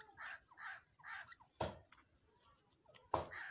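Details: Irani dakhni teetar, a grey francolin: three harsh, raspy notes repeated about every half second, then a pause with two sharp clicks or knocks; quiet indoor setting.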